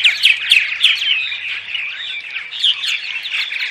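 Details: Morning vocalizations of purple martins, used to attract them to nest houses: rapid gurgling chirps and liquid warbles from several birds overlapping, with a faint low hum early on.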